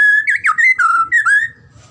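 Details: Gacor song of the white-rumped shama (murai batu), meant as pancingan and masteran: ringing whistled phrase of a held note, twisting slurs and a falling sweep, ending after about one and a half seconds into faint low noise.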